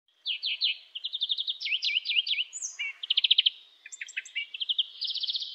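A European greenfinch twitters in a rapid run of high, varied trills and chirps, with quick downslurred notes and buzzy rattles packed closely together. No other sounds intrude.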